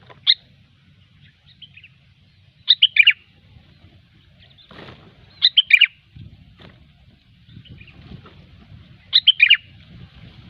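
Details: Sooty-headed bulbul in gecor style for luring: a lone sharp note, then three cheerful bubbling phrases of three or four falling notes, repeated every three seconds or so, with light background rustle.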